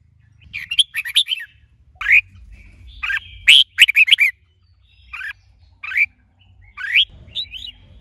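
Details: Male red-whiskered bulbul kept caged and trained to sing, with a female present to excite him. Repeated loud whistled phrases with rising slurs and quick note runs, separated by brief gaps. A faint rumble sits below.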